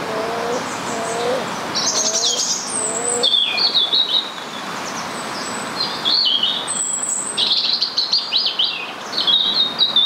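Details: Rose-ringed parakeet in Stanley Park, Blackpool, giving repeated high harsh squawks in clusters, with four low hooting notes from another bird early on and steady background hiss throughout.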